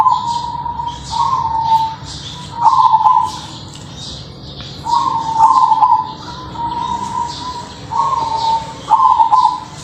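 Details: Crossbred zebra dove of local voice type cooing melodiously: soft, rolling, level coo phrases repeated about every one and a half seconds in bursts, with faint high twittering from other birds behind.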